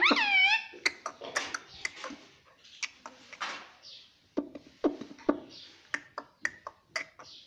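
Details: Pet talking Indian ringneck (rose-ringed parakeet, Psittacula krameri) indoors in a room opens with a harmonic, warbling call, then gives rapid clicks, pops and brief squawky syllables, some of them mimicked speech.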